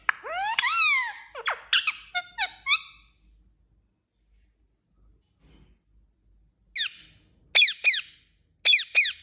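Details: Indian ringneck parakeet talking: a burst of shrill, wavering speech-like syllables, several seconds of near silence, then short sharp chirped words in quick pairs near the end.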